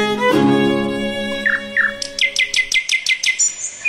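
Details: Copetón (crested bird) recorded in Guatemala: two soft rising notes, then a fast run of about eight sharp, high chirps dropping steeply in pitch, after a bowed-string musical tone.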